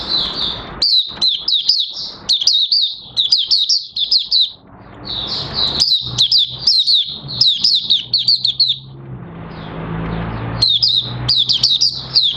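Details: Oriental white-eye opening into song on 30 August 2022 as its new white feathers finish colouring; long stretches of rapid high chirping slurs in repeated bursts, with a low vehicle-like hum in the background.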